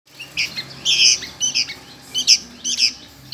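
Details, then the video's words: Sooty-headed bulbul chick begging for food: short, harsh, squawky bursts, high and scratchy, come in uneven clusters of two or three calls over a few seconds, with brief quiet gaps between them. "MINTA MAKAN ANAK BURUNG KUTILANG"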